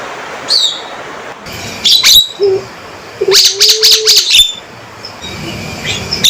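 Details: Male Javan myna giving sharp, loud calls: chattering bursts of rapid harsh notes and high whistles, with a low steady whistled tone running under one burst.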